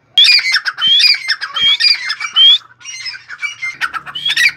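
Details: A fully tame partridge calling freely, loud harsh ringing squawks in quick uneven bursts, several notes sliding upward; a faint low hum creeps in near the end.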